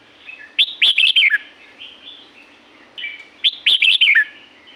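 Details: In Thailand's La-u forest, a Red-whiskered bulbul repeats a brisk, bubbling phrase of clear slurred whistles ending in a downward glide, twice roughly three seconds apart, linked by quieter chattering notes; faint hum underneath.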